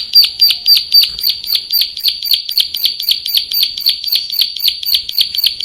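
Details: Rapid, even series of shrill chirps from a Bar-winged prinia, roughly four notes each second, every note a bright high flick repeated without pause, recorded as song material for tutoring cage birds.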